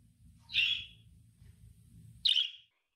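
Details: Two sharp, bright budgerigar contact calls, short buzzy beep-like chirps about two seconds apart. Budgies use this call to keep track of the flock and repeat it until answered, and it may intensify when they are lonely or anxious.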